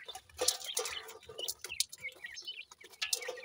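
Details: High, piping calls of playful grey francolin chicks, short chirps repeated unevenly, some rising and falling, with light tapping and rustle behind them.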